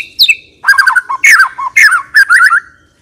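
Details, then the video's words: White-rumped shama in steady full song with a rich 'isian' filling and long 'tembakan' bursts. A descending whistle opens, then quick chattering phrases of warbled, slurred notes repeat in tight bursts. "MURAI BATU PILIHAN GACOR TERUS FULL ISIAN MEWAH FULL TEMBAKAN DURASI"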